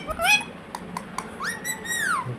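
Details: Pet Indian ringneck parakeet indoors, taught to say "Hello" and "Mithu Mithu": a short harmonic voice-like syllable, then a smooth rising tone that levels off and falls, with soft clicks between and laughter nearby.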